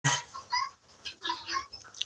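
Guinea fowl give harsh, rasping, chattering calls in four or five quick bursts over two seconds, loud at first and then a noisy back-and-forth.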